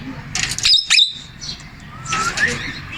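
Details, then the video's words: Male Indian ringneck parakeet talking: two bursts of scratchy, raspy speech-like chatter, the first short and sharp, the second softer with a faint rising whistle, over a low steady hum. "MALE INDIAN RINGNECK TALKING"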